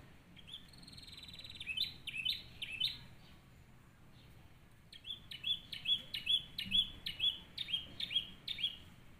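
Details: Canary singing a model song meant for training other canaries: high chirped phrases and a short buzzy roll, a quiet pause, then bright clipped notes repeated steadily about twice a second, over faint low hiss.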